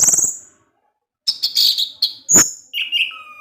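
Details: Orange-headed thrush singing at dusk in excited 'teler' fashion to provoke others of its kind: a high sibilant note, a pause, then buzzy twittering, a sharp click and a final level whistle.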